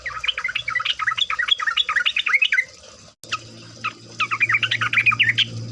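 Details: Lively sooty-headed bulbul (trucuk) song for luring birds to sing: a long, fast run of warbled, chattering notes, a short pause with single chirps, then another rapid bubbling stretch, over low hum.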